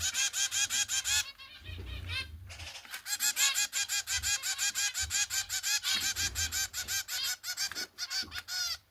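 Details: Zebra finch chicks being fed by their mother: rapid, raspy, high-pitched begging calls, several each second.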